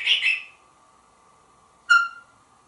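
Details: Male African grey parrot kept indoors in a Texas home, hatched 1997, a very talkative pet: a short harsh burst, a pause, then a sharp harmonic squeak sliding down into a faint steady tone.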